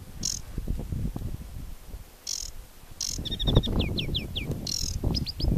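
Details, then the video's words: Aquatic warbler singing at the Chełm carbonate peat bogs in July 2015: short high buzzy bursts, then a rattle and a run of clear down-slurred whistled notes, over steady low wind rumble. "wodniczka/ Acrocephalus paludicola"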